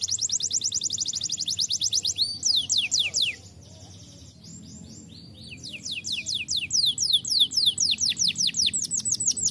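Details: Canary singing a lively rolling song: fast series of repeated downward-sweeping high trills, a brief quieter gap mid-phrase, then renewed rapid trilled rolls.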